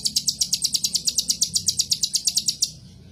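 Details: Copper-throated sunbird (kolibri ninja) pours out one continuous rapid trill of about twenty sharp, very high notes, roughly three per second, stopping abruptly near the end.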